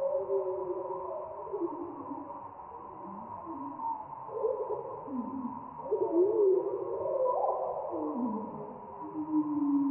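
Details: Garden warbler song recorded 28 May 2023, played in slow motion, turning its rapid warble into deep, sliding, moaning tones that rise and fall in long, overlapping phrases.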